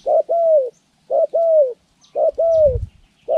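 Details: Spotted dove trained for trapping, January 14, 2020, repeating low mellow two-part coos roughly once a second, a brief note then a longer falling one, with a soft low rumble near the end.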